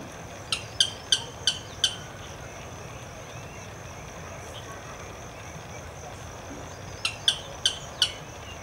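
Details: Blackish rail giving alarm calls in a marsh in an urban park in Santo André: two bursts of sharp, dry clicking notes, five quick ticks then a pause of several seconds and four more, over a steady hiss of background noise.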